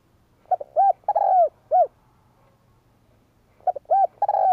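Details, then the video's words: A spotted dove coos for training and stimulating males. A stuttered start leads to a soft paired coo, a long descending note and a final coo. The phrase repeats after about two seconds of quiet over faint low rumble. "Cu gáy Kích bổi - tập mồi căng lửa hiệu quả / Tiếng chim cu gáy kích bổi nhanh nổi 2023"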